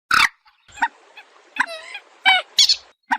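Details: A common moorhen (Gallinula chloropus) calls: a sharp, explosive opening squawk, then several harsh, nasal croaks and clucks spaced irregularly over about three seconds.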